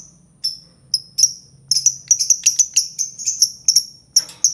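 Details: Albino lovebird repeating sharp, piercing, high chirps, at first widely spaced, then quickening to about three per second in an insistent series.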